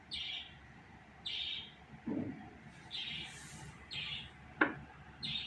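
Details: Budgerigar chattering in a run of short, harsh, buzzy chirps, about one a second, six or so in total, with a low thud and a sharp click between them and faint steady hum behind.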